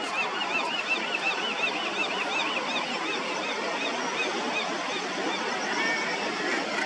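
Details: A dense, unbroken din at a common murre colony with jumplings, Yaquina Head, Oregon, on a foggy August day: rough, growling adult calls overlapping thin, repeated high chick whistles, blending into a steady roar.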